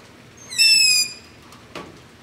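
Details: Night recording of long-eared owl begging near a house with a Zoom H5 and LOM Usi Pro: one loud, shrill, rising-then-level screech lasting about half a second, followed by a short soft click.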